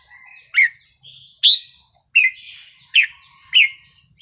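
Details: Red-whiskered bulbul singing a wild-style song, used to excite other birds: five loud, bright whistled notes dropping from high to mid pitch, each about 0.7 seconds apart, with soft warbling between.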